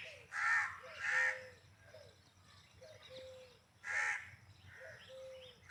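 Indian peafowl giving loud, harsh, nasal calls: two quick blasts, then a third after a pause, with softer lower honking notes in between.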